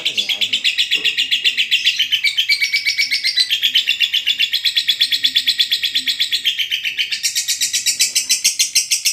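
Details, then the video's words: Extended lovebird ngekek chatter for training quiet birds to sing: a rapid, unbroken series of piercing chirps around four per second, shifting upward near the end, with a brief human voice at the start. "masteran burung Lovebird ngekek panjang. Lovebird males bunyi akan mau bunyi"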